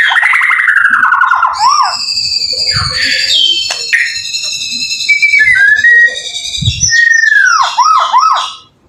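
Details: White-rumped shama song used to coax other shamas into singing back: loud mellow whistles dropping in pitch, sustained high tones, and bouncy looping notes near the end, with low knocks in the background.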